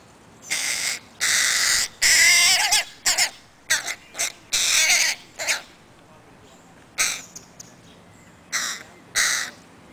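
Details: Crow chicks clinging to their mother in Helsinki, Finland, on 20 July 2011 give a rapid series of grating, hoarse caws, some long and strained, some clipped, then a few more spaced calls after a pause.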